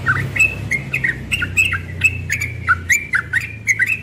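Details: In the morning a young yellow-vented bulbul sings ropel style, pouring out quick fluty notes that dip and rise in a steady, lively stream over a faint low hum.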